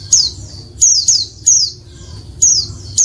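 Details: Oriental white-eye female calls meant to provoke males to sing, sharp high descending chirps in irregular bursts, some paired closely, with faint background hum.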